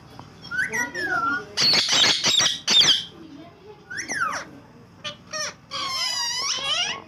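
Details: Quarrelling pet green ringneck parakeets indoors; loud harsh squawks in quick bursts mixed with descending whistled notes and a stretch of speech-like chatter at the end.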